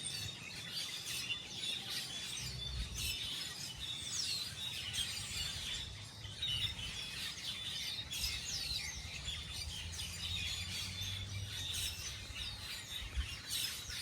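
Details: Wild birds chirping happily as they gather to eat small fruits on a tree; many overlapping high, quick chirps and twitters fill the scene nonstop, over a low background rumble.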